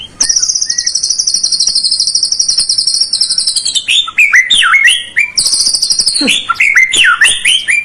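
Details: White-rumped shama delivering a long, even, very high rapid trill for several seconds, followed by a run of loud swooping whistles and a second trill, meant to provoke a quiet bird into song.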